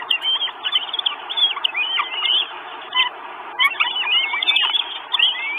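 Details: Four hungry Northern goshawk chicks at a nest in Estonia, 1 June 2022, recorded by a live stream camera: repeated, drawn-out squealing whines with bent pitch, coming in uneven groups.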